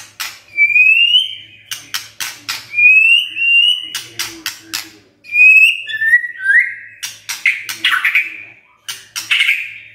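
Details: Morning song of a white-rumped shama, used to coax a silent shama to sing: clear rising whistles repeated every few seconds between sharp clicks, ending in harsher blurred notes.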